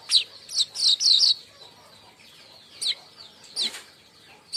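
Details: Chattering baya weaver call used to lure and train other birds: a quick burst of harsh, high chirps, then a pause and scattered single chirps with a brief rustle.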